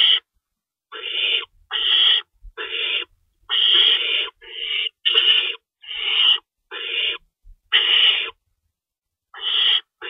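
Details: Feeding time in an owl nest at night, March 25, 2012. About eleven raspy, breathy shrieks, some clipped short, come irregularly, with a longer silent stretch near the end.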